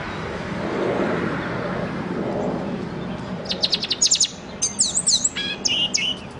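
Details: A pet bird, black and white with a silver beak, sings after a few seconds of muffled low noise. A dense run of high, pulsing chirps leads into sweeping, twisting whistled notes and a final buzzy phrase.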